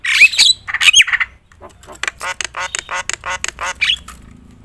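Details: Javan myna in loud, provoking song full of fill-ins: a couple of harsh rasping calls with short whistles, followed by a rapid chatter of dry clicks and buzzy notes, ending in one more whistled squawk.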